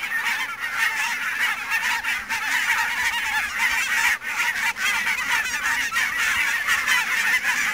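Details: Barnacle geese in fog at Niittylahti, Savonlinna, Finland, on 2 October 2011: a large flock keeps up a dense, unbroken chorus of overlapping high, yapping honks, many birds calling at once with no pauses.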